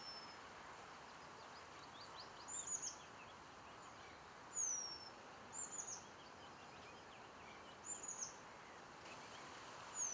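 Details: Eurasian penduline tit finishing its nest at Källtorp wetlands near Falkenberg in 2013, giving thin high drawn-out whistles that fall in pitch, repeated every one to two seconds over a soft background hiss.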